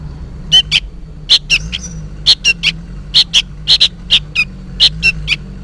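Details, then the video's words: Juvenile sooty-headed bulbul calling noisily, seemingly for its parent: short harsh chirps given mostly in pairs, about a dozen notes over several seconds, over a low steady hum. "suara burung kutilang anakan gacor ribut seperti memanggil induknya"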